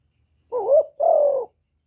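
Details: Captive Spotted Dove kept as a decoy bird, cooing to stimulate other kept doves: one phrase of a wavering, rising coo followed by a long, smooth, slowly falling coo, clean and close with a silent background.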